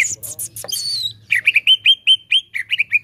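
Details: Greater green leafbird, sound used to prompt other leafbirds to sing: bright, varied high chirps and whistles, then a rapid run of clear, down-slurred notes about five a second, over a faint low hum.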